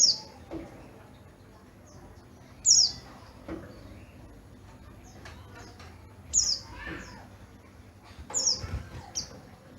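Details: Oriental white-eye, yellow-breasted bird from Garut, delivers loud, piercing descending chirps at irregular intervals, some followed by softer twitters, with faint rustling and voices behind.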